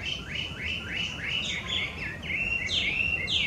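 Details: Chinese hwamei, a wild invasive bird in Japan, singing a series of quick rising whistled notes repeated about three per second, then longer looping slurred phrases, against constant low background hiss.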